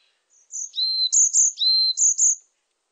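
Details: Song of a varied tit, high piercing whistles paired with lower drawn-out tones, the high-low phrase given twice in quick succession, recorded cleanly against a silent background.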